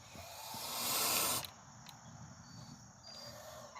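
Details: One-year-old pet Sebastopol goose outside a back porch, recorded 14 September 2022, giving one long breathy hiss that stops abruptly, followed by quiet background.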